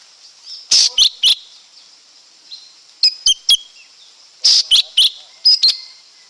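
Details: Lesser green leafbird producing loud, harsh-edged high notes and thin whistles in groups of three, repeated after pauses of about a second and a half; faint steady hiss.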